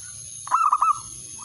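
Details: Male zebra dove calling out to a rival: a single quick phrase of about four soft, rolling coo notes, with a constant high-pitched whine behind it.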